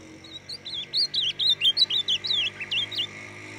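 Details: Young ultramarine grosbeak (Nordeste azulão) singing from the brown juvenile stage onward: a rapid run of about a dozen sweet, slurred whistled notes, high-pitched and warbling, rising and falling over three seconds; faint steady hum behind.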